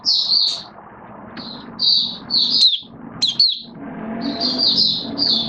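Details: Oriental white-eye kept as a hobby songbird in build-up form, recorded 19 September 2022: high twittering warbled phrases in short bursts separated by pauses, over a low background hum and faint room noise.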